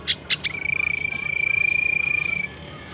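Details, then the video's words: Tailorbird lure call meant to draw birds in and get sluggish singers going: three short sharp notes, then a steady, rapidly pulsed trill held on one pitch for about two seconds. "suara pancingan sirtu teras"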